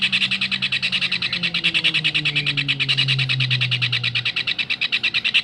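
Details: Kingfisher calling on a recording used to tutor songbirds: rapid shrill notes repeated about three times a second without pause, over a low droning hum that slides downward.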